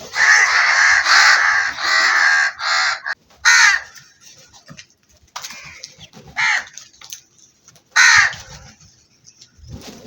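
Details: Black crows giving hoarse, rasping caws: a run of long, loud caws at the start, then single harsh caws spaced about every one to two seconds, over a quiet background.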